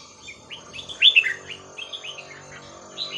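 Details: Red-whiskered bulbul song in the 'Hua Krok Khayao Khuat' style, meant for tutoring young birds: a run of short, bouncy whistled notes peaking in a loud pair, then softer repeated notes and a closing whistle.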